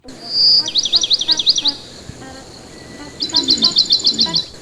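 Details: Pet parakeet tweeting while its owner talks to it: a bright high whistle, then fast zigzag chirp trills, a pause, and another rapid high chirping burst, with faint low speech beneath.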